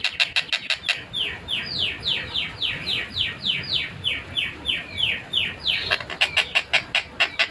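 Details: Long-tailed shrike in a lively, clear, fast tight song: a quick run of harsh downslurred notes repeated about three per second, framed by short broadband clicks at the start and end.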